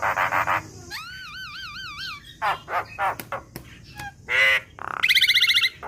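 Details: Juvenile black-winged myna in a training recording: harsh buzzy bursts, a long wavering whistle, clicks and snaps, then a loud rasp and a fast buzzy rattle.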